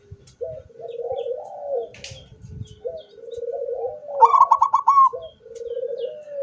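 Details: Zebra dove song, 24 September 2023, sung with open beak: repeated low, undulating coo phrases with soft background clatter, then a sharp burst of quick pulsed higher coos before the low cooing resumes.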